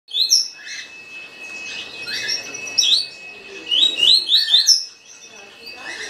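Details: Green-winged saltator singing a fast song in the tuí tuí style: quick series of short, bright, slurred notes, repeated in bursts with brief pauses, over a steady faint high tone in the background.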